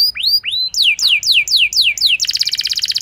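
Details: Canary singing as a lure for a less eager canary: rising whistled notes, then descending sweeps about four times a second, ending in a fast buzzy trill.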